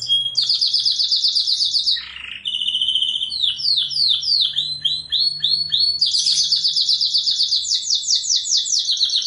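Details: Melodious, nonstop canary singing used as tutor song: bright high trills, a brief low dip, then a series of rapid downward-swept notes and dense repeated phrases.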